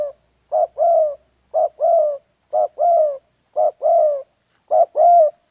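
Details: Spotted dove used in trapping wild pigeons, cooing steadily: each phrase is a brief throaty note then a drawn-out, gently descending coo, given five times in quick succession, on a quiet background.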